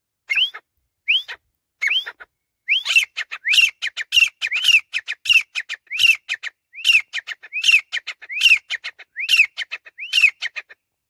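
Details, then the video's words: Jungle teetar, the grey francolin, in a long calling bout: upward-slurred whistles repeated and speeding up, each trailed by clipped harsh notes, forming a rapid rhythmic series. "Teetar Ki Awaz"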